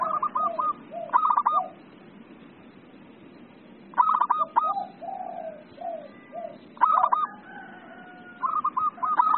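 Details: Zebra dove (perkutut) singing in the excited 'emosi' style: loud stuttering cooed bursts repeat roughly every three seconds, each followed by softer, lower, drawn-out coos.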